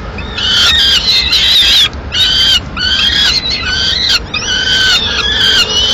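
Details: Peregrine falcon at its nest in Madrid, mid-morning, female landing with the remains of a pigeon; loud, rasping, wavering wails repeated in a near-continuous series of about six calls.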